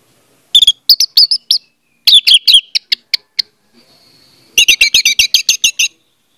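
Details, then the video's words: Orange-headed thrush song used as a lure to make a silent bird sing: clusters of short sharp whistled notes, ending in a rapid run of about ten evenly spaced chips. "audio suara anis merah || pancingan ampuh untuk ania merah membisu"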